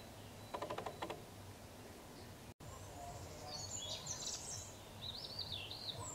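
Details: Eurasian woodcock (Scolopax rusticola) calling at Clara Vale, County Durham, on 30 March 2024: a short burst of rapid, gruff croaking pulses, then high thin squeaks and whistles over a steady background hiss.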